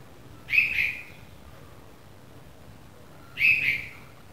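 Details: Red-vented bulbul chick, newly fledged, giving two short harsh chirps about three seconds apart, each a quick burst around the upper-middle range with a brief trailing tail, over a quiet background.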